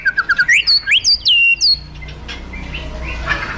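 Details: White-rumped shama of the fighter type, giving kretekan and tembakan song meant to provoke other shamas: a run of short clear whistled notes sweeping upward, then bright high slurred whistles, fading to quiet room noise after under two seconds.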